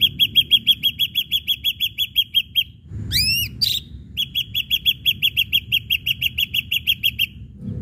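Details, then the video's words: Lure song of an Ashy drongo meant to set other birds singing: long runs of quick repeated clear notes, broken midway by a few rising swept whistles, then the steady repetition resumes. "srigunting abu abu gacor PANCINGAN"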